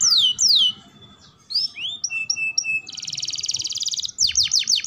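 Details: Canary singing as a training model for young and adult canaries: slurred downward sweeps and chirps, then a dense buzzy rolling trill lasting over a second, ending in quick falling notes.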